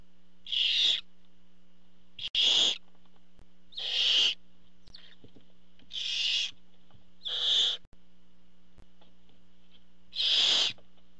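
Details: At a barn owl nest, with the male parent bringing prey, six rasping hiss-screeches of about half a second each, repeated every one to two seconds against a constant faint electrical hum.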